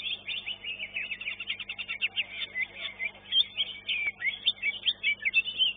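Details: Greater green leafbird singing at a bird-singing competition arena in Surabaya, Indonesia: a rapid, continuous stream of high chirps, trills and whistled warbles, varied and unbroken throughout, with faint low background hum.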